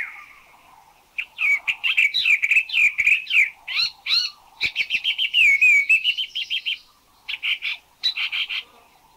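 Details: Spot-throated Babbler from Thailand, described as not the most melodious songster but with a varied vocabulary: a fast run of varied chirps, warbles and short whistled notes, some rising and falling, with brief pauses and clipped repeated notes near the end.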